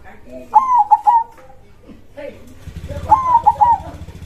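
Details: Zebra dove (perkutut) in vigorous krosing-style song with a big voice: two cooing phrases of a bright note and two clipped notes, with a low steady hum joining partway through.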